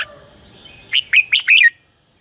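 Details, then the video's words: Red-whiskered bulbul in competitive song used as decoy sound to stir birds; one short burst of four loud, bubbly whistled notes, over a faint hum and a steady high tone. "CHÀO MÀO HÓT GỌI BỔI CHÉ CĂNG ĐÉT QUÁ HAY - KÍCH CHIM NHANH CĂNG LỬA"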